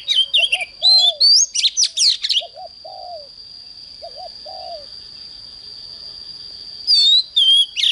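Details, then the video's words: Oriental magpie-robin singing in the morning, fired-up, intense style: quick bursts of sweet whistled and scratchy notes in the first two seconds and again near the end. Lower, slurred whistled phrases repeat three times in between, over a steady high-pitched whine. "Chích choè than hót sáng"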